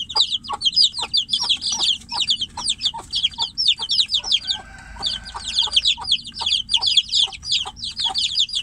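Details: Caged chicks peeping for the mother hen outside; strident falling peeps in a dense stream, a short softer pause mid-clip with a faint tonal sound, then the frantic calling resumes.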